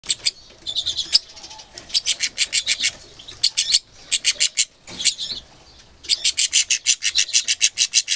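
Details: Angry goldfinch mule, recorded 2 June 2011: loud sharp chipping notes in rapid bursts of eight to twelve, separated by brief pauses and softer twittering, with faint background chatter.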